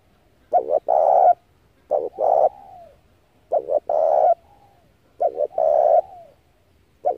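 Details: Spotted dove calling as a lure for trapping doves: a steady run of loud phrases, each a broken double coo and a long coo that slurs downward at the end, repeated about every one and a half seconds.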